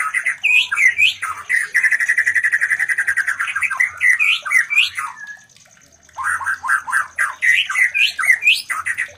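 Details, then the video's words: Mating sounds of a white-rumped shama meant to stimulate breeding in other shamas: loud varied whistles and chatter, a long steady buzzy rattle of rapid repeated notes, a brief silence, then fast warbling phrases resume. "Terapi Suara Murai Batu Kawin"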